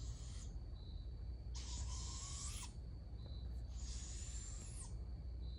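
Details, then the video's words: Young barred owls screech for food as an adult feeds them. Two drawn-out, rasping hisses about a second long are separated by a gap holding a thin, steady high tone, over a constant low background rumble. "Adult Barred Owl Feeding Young Juveniles with Screeching Sounds"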